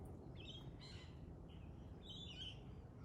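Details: Pale-headed rosella calling in short, high, slightly rasping notes, two clusters about a second and a half apart, with faint low background noise.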